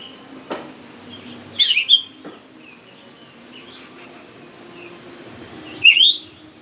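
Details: Myzomela filmed on 25 December 2022 while its behaviour was being observed: a sharp, high, rising chirp pair near the start and another about four seconds later, with faint soft notes between. A constant shrill insect drone fills the background.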